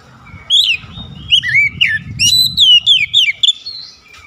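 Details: Kacer, the oriental magpie-robin, in full chattering song. A rapid run of clear, looping whistles and sharp upslurred notes is delivered in quick succession over a faint low rumble.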